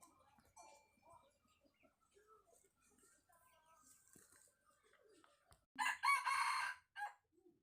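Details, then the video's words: Red junglefowl crowing: after quiet seconds with faint murmurs, a single loud harmonic crow lasting about one second, with a brief trailing note just after. "Suab Qaib qus Qua zoo dib tuaj 100% gà rừng gáy chuẩn"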